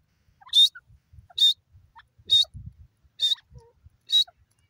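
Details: Wild grey francolin, a female, repeating a sharp, piercing high note roughly once a second, five times, with faint soft rustles and clicks between the calls.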